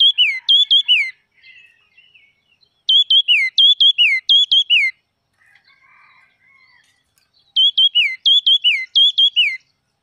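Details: Wild red-whiskered bulbul singing vigorously: three bursts of bright whistled phrases, each a quick run of notes that rise then drop, separated by pauses with faint soft chatter.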